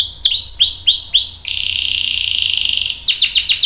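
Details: Canary song used as a tutor for young canaries: several separate downslurred whistles, a long steady buzzy roll of about one and a half seconds, then quick swept notes.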